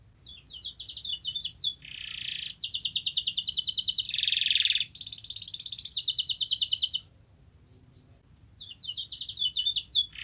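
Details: Canary singing, played to get a reluctant canary singing: chattering notes, harsh buzz, then long rapid rolling trills, a pause of about a second and a half, and renewed chatter; faint low background hum.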